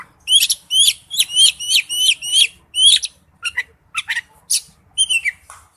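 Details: Wild-type song of an Oriental magpie-robin: a bright two-part whistled phrase repeated about seven times in quick succession, then scattered short chips and a final slurred whistle.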